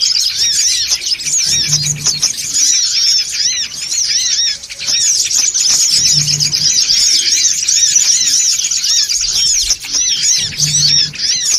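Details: A long stretch of noisy songon otong chatter used to lure birds: high, overlapping twitters and chirps from many birds run on without stopping, broken only by brief dips and a few low hums.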